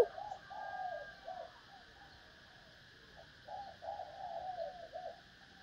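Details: Female spotted dove calling to stimulate males: two bursts of soft, low, wavering coos, the first in the opening second and a half, the second from about three and a half to five seconds, over a steady faint background hum.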